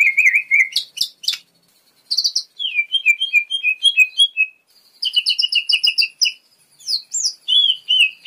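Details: Cucak ijo mini, the lesser green leafbird, in energetic full isian song: rapid chattering runs of sharp, high whistled notes, repeated trill-like phrases in clusters, broken by brief silences.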